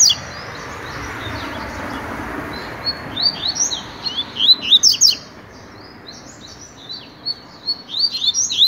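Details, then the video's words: Training song of a Double-collared seedeater tutor in tui-tui style: after a noisy start, crisp rapid chirping phrases rise and fall, loudest near five seconds, against constant broadband noise. "COLEIRO TUI TUI PROFESSOR TREINANDO"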